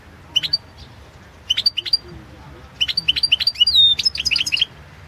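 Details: Goldfinch song championship entry: a European goldfinch gives short clusters of sharp high chirps, then a longer lively run of twitters with a clear whistled slur.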